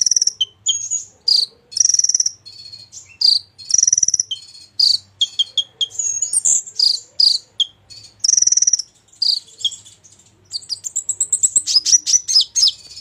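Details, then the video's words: Golden-fronted leafbird pouring out a long medley of learned phrases: chattering trills, high thin whistles, down-slurred notes and buzzy rattles, densely packed and steadily repeated. "Konin gacor isian jozz"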